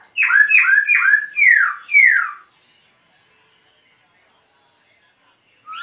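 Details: A dancing laughingthrush sings a strong run of five rapid, down-slurred whistles over about two seconds, followed by silence.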